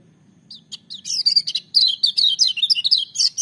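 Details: Loud, powerful singing from a lemon-bellied white-eye (kecial kuning): after a few hesitant high chips, a fast, continuous stream of sharp, twittering notes builds, quick up-and-down slurs packed closely together over a low background hum.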